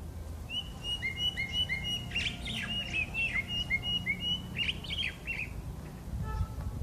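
Common blackbird singing clear, fluty whistled notes in quick repeated pairs, broken by higher scratchy twitters, over a steady low background rumble.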